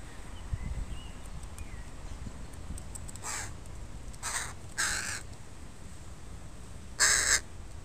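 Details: Park setting with a crow family and their young on a Sunday: scattered soft clicks, then three moderate rasping caws around the middle and one louder, harsher caw near the end.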